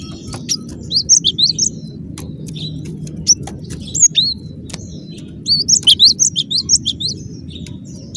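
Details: Cinereous tit giving scattered high chirps and clicks early on, then a quick run of sharp whistled notes near the end, over a constant low hum.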